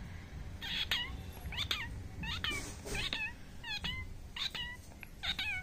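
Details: Talking parrot kept as a pet, giving a series of short, nasal, harmonic calls with falling, bent notes, somewhat meow-like, repeated about every 0.7 seconds over a low indoor hum.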